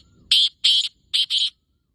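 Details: Breeding call of a male black francolin, 14 May 2024 at 5:15. Loud, rasping notes: two spaced single notes followed by a close double, all in roughly 1.2 seconds, with little other sound.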